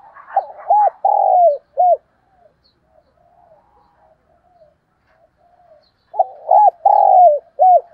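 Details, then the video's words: Morning cooing of a decoy spotted dove: two phrases about six seconds apart, each of quick short coos, one long falling coo and a short final note. Faint soft sounds fill the gap between phrases. "Tiếng Chim Cu Mồi Gáy Gọi Buổi Sáng"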